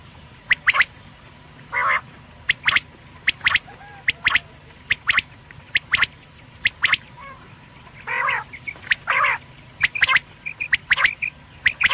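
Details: Quail call for night use: quick paired clicky notes repeating about once a second, mixed with several longer rasping, harmonic notes, over faint steady hum.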